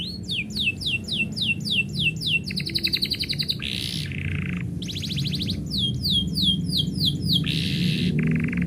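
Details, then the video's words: Canary song given when its owner is about to leave, mixing quick downward-sweeping whistles, fast buzzy trills and short rolled tours, alternating between high sweeps and lower, dense buzzing phrases, with faint low background hum. "kenari bunyi ketika yang punya mau pergi"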